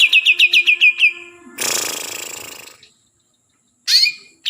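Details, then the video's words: Green leafbird native to Kalimantan opens with about nine quick, downslurred whistled chirps. A long harsh hiss follows, then silence and two short bright notes. "Burung cucak ijo asli kalimantan"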